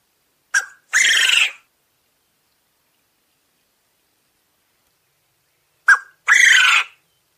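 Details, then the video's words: Two crows from a domestic Coturnix quail about five seconds apart. Each is a brief clipped note, then a short pause and a scratchy, grating burst lasting roughly two-thirds of a second. No other sounds. "Quail call / crowing / sounds"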